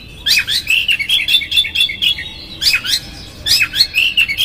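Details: Oriental magpie-robin giving a rough-fill-in 'konslet' lure song to provoke a rival: dense runs of harsh squeaky chirps and quick whistled notes, broken into three bursts by short pauses.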